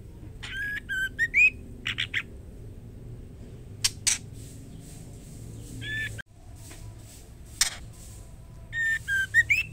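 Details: White-rumped shama female calling the male: brief clusters of whistled notes and harsh chips at the start and end, with isolated clicks and quiet gaps between.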